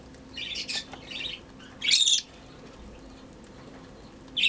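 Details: Hand-fed budgerigar chick begging, giving a few short, harsh, high rasping bursts spaced irregularly over a quiet background.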